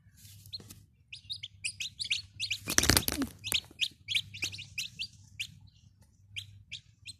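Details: Chicks of the domestic chicken peep busily: rapid high, slurred notes in uneven runs, interrupted by a loud rustling, flapping burst near the start that fades as peeping continues.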